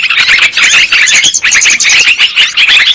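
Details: Sooty-headed bulbul calls in a dense, continuous chatter of bright, bubbly chirps, several overlapping at once with barely a pause; long-duration lure recording used for trapping this species.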